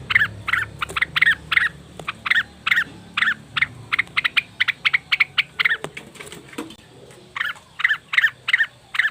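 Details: Leafbird, cucak wilis or rengganis, calling as a lure to get other birds singing: harsh, buzzy notes repeated about three times a second in uneven bursts, with a faint low hum underneath.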